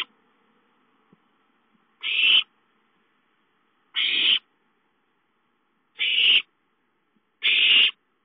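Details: Young owls calling for food at home, 5-9-13. After two quiet seconds, four loud hissing screeches follow at steady two-second intervals.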